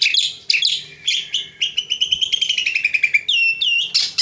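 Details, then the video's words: Pet Javan pied starling singing hard: loud harsh opening notes, then a long run of rapid chattering notes that slowly drop in pitch, followed by squeaky rising whistles. "Jalak Suren GACOR"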